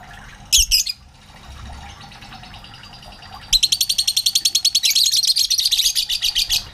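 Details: Lovebirds in a colony that grew from a single pair: one shrill burst, a pause, then a fast run of loud, high, harsh chattering squawks, several per second for about three seconds.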